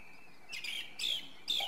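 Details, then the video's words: Song thrush song: three brief bright phrases of shrill, buzzy whistled notes given in quick succession, with a faint steady tone of a distant bird beneath. "Drozd zpěvný - The song thrush: Zpěv/Singing"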